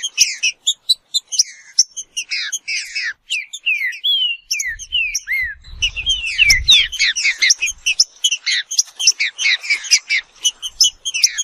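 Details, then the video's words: Green-winged saltator (trinca-ferro, Saltator similis) sings a busy, bright song of quick whistled and slurred notes tumbling downward in rapid succession, with a brief low rumble midway. "Seu Trinca Ferro vai pegar fogo em 15 minutos"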